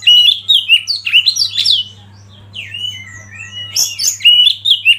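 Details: Kacer (Oriental magpie-robin) singing masteran song: quick chattering whistles, then a softer stretch of gliding notes, then a loud sharp burst of chirps and slurred whistles.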